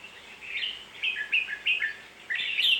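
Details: Red-whiskered bulbul singing: a run of short, liquid whistled phrases that rise and fall between mid and high pitch, in bursts of about a third of a second, ending in a louder warble.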